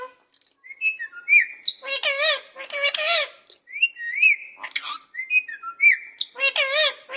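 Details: Caged parrot talking in a cat-like voice: wavering, harmonic meow-like calls mixed with short rising whistles, repeated in bursts with brief pauses between them, in a quiet indoor setting.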